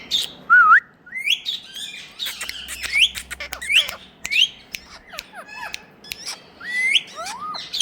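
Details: Talking parrots, ringnecks kept as pets in India, giving a run of short whistled and squawking notes, many sharply rising or falling, with rapid harsh chatter between them in a small room.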